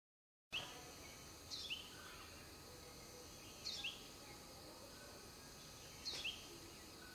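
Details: A mother sunbird tending her nest gives three brief bursts of high, thin, sharp chirps about two seconds apart, over a steady background hiss.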